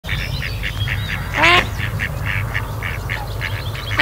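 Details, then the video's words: Female Mallard calling during rough mating at Kirriemuir RSPB, a second male attacking the mating drake: one loud, harsh harmonic quack midway, over a steady run of short chattering calls and low background rumble. "Mallards (Anas platyrhynchos) - roughly mating and female calling"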